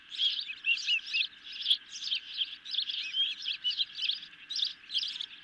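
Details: Nest-camera recording of hungry ospreys being fed a medium-sized fish just before 11 pm, 10 July 2021: insistent high chirping in evenly spaced bursts, about two per second, with small upslurred notes and a faint hum.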